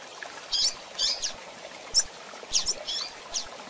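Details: Calling female double-collared seedeater, used for training birds: about seven crisp, high chirps and slurred upward notes in under four seconds, some doubled, against a soft steady background hiss.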